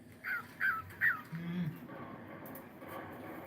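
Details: Cockatiel in the morning giving three short rising whistled notes about 0.4 seconds apart, each sliding upward, followed by a low hum and quiet room noise.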